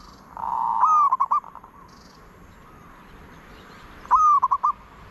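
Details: Zebra dove cooing, apparently a decoy bird used to lure wild doves: two soft, mid-pitched phrases, each a drawn-out purring coo running into a quick string of staccato notes, repeated about three seconds later.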